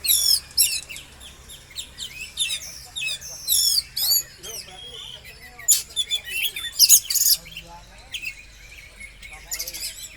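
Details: Oriental magpie-robin song used as a lure to make a bird spread its tail: varied, high, rapid whistled phrases and sharp chirps in bursts, with quieter chattering notes between and a faint low hum underneath.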